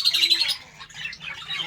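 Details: Australian parrots in a colony: brief burst of overlapping high squawks and warbled twitters from several birds.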